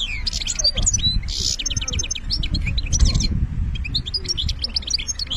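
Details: Algerian European goldfinch delivering benna-style song: continuous high, tinkling twitters and quick liquid trills with a brief harsh buzzy note, over a constant low background rumble.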